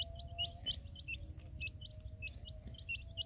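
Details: Colored baby chicks with their hen in a field call with high, hooked peeps in loose pairs and clusters, about one and a half per second, over a steady low rumble.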